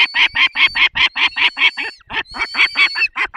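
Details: Rhythmic, hoarse calls from a peregrine falcon during feeding, Barycz Valley, Poland, 20 May 2021 at 10:22. Notes come in a rapid, slightly uneven train, broken by one short gap midway.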